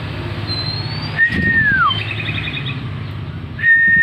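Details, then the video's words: Oriental magpie-robin singing eagerly with its tail opened: a thin rising whistle, a clear level note sliding steeply downward, a soft quick trill, then another held whistle over a steady low rumble. "Burung Kacer gacor"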